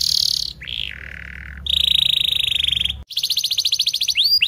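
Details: A frequently singing canary performs song used as tutor material for young or non-singing canaries: a high buzzy note, a falling whistled slide, a long steady buzz, then a rapid pulsed trill and rising sweeps.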